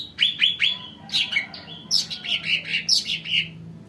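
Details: Sumatran cucak ranting, sung to lure newly caught birds: rapid run of high, clear whistled chirps with downward slurs, then a denser stretch of varied twittering notes in quick succession, continuous throughout, with a soft background hum.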